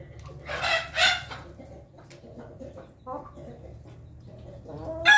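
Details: Pelung chickens feeding in the morning, giving two rough, noisy squawks near the start, then soft murmured clucking and a final sharp loud call at the end.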